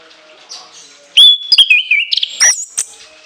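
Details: Orange-headed thrush singing shrill bursts within a long fill-in phrase: a loud piercing whistle sliding down in steps, followed by quick sharp high chips and a final high, thin whistled note.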